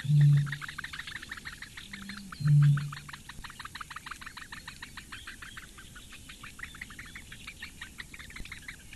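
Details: Eurasian bittern nestlings, four of them, being fed at a reedbed nest on Lake Engure, Latvia, May 2017; two loud low droning bursts open the recording, then a rapid, even run of ticking calls continues.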